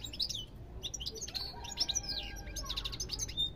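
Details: Rapid, tinkling European goldfinch song: bright chirps and slurred whistles tumbling over each other, with a brief held buzzy note in the middle before the twittering picks up again.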